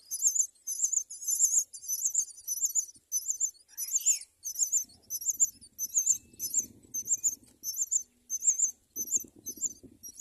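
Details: Myna nest with four chicks being raised; steady series of high, squeaky, trilling call bursts repeated roughly twice a second for ten seconds, over soft low rustling and scraping.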